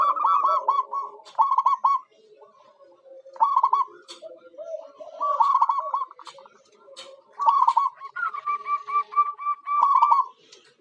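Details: Lure zebra dove, a local bird used to attract wild ones, repeating rolling trilled coo phrases every couple of seconds, with softer low notes and clicks between phrases.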